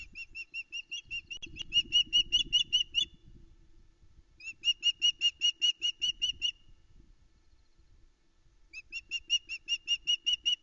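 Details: Nest-cam recording of a female osprey at Loch Arkaig, about 5am, 13 July 2019, calling for breakfast: three loud bursts of rapid, evenly spaced high whistled yelps, about two or three per second, separated by short pauses, with light rustling.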